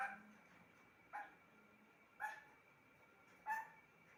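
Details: A pet parrot gives three short, clipped, voice-like syllables spaced about a second apart, over a faint steady room hum.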